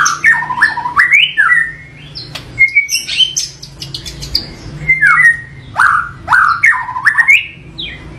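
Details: White-rumped shama singing loud, rich whistled phrases: swooping downward and upward slurs repeated in short bursts with brief pauses, some sharp clicks between, faint hum underneath.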